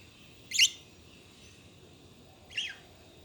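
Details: Budgies chatting: two short, sharp, scratchy chirps spaced about two seconds apart, the second slightly weaker, over a faint steady background.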